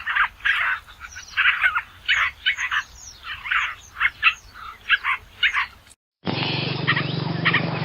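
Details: Basra reed warbler singing harsh, croaky chattering phrases, roughly two per second, each a grating cluster of notes. Near the end the song cuts to a differently recorded stretch with a low hum beneath faint phrases.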